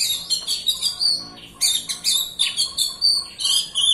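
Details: Lure song of a white-rumped shama, used to prompt reluctant birds to sing: fast strings of sharp chirps and clear whistled slurs, rising and falling, delivered in quick repeated bursts with a faint low hum behind.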